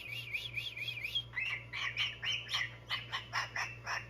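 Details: A pet cockatoo warming up his vocals gives a run of bright, warbling chirps, quick at first, then spaced about three a second, over a steady low household hum.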